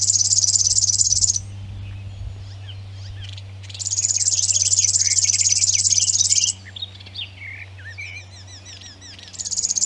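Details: A River Warbler (Locustella fluviatilis) singing in Zvārde reels out a dry, high, insect-like buzzing in long bursts of a few seconds, with brief chirps from other birds and a low steady hum in the gaps.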